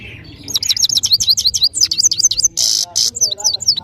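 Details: European goldfinch from Parachinar singing powerfully: a fast run of bright, sliding twittered notes, with two short buzzy bursts near the end and a faint low hum underneath.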